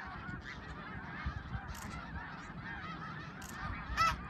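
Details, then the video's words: Snow geese at Middle Creek, 2022, heard a little farther off: separate high, nasal barking honks rise above a softer crowd murmur, with a few sharper yelps near the end. "Middle Creek snow geese 2022"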